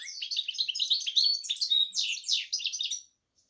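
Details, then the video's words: Continuous bright warble from a goldfinch x canary hybrid, sharp rising and falling chips and short trills packed tightly for three seconds, then silence. "hybrid Carduelis x Canary"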